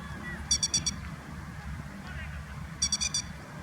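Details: Grey-headed lapwing parent keeping watch over its chicks in late April in Kyoto, Japan: two quick bursts of four sharp, ringing, harsh notes, the second after about two seconds, with a low background rumble.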